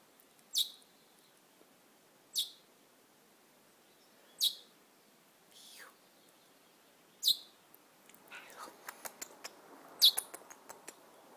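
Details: A little wild bird perched on a person's shoulder gives sharp, high chirps, one every two to three seconds, with soft clicks and rustling between them.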